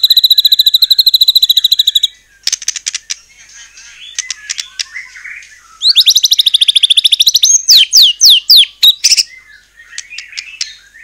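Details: White-rumped shama singing as a lure for other shamas: a steady high rapid trill for two seconds, sharp ticking notes, then a bright trill and a series of fast descending sweeps with clicks.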